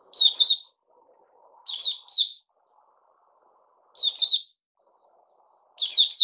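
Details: Puteh Raja, a captive bulbul, gives four sparse phrases of crisp, warbling notes spaced a few seconds apart. The phrases are short and bright, and a faint low murmur sits in the background.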